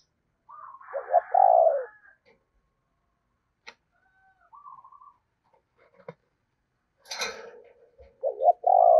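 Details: Spotted dove kept as a decoy bird, singing in the 'giọng thổ' voice style: loud, low, hoarse coos in a short phrase, with sharp clicks and a brief rattling burst between phrases.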